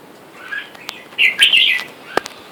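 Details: Red-whiskered bulbul, one of a caged wild-caught male and female pair, with wild birds outside calling for a mate. A single short, rich, warbling chirp phrase rises out of faint background, followed by a sharp click.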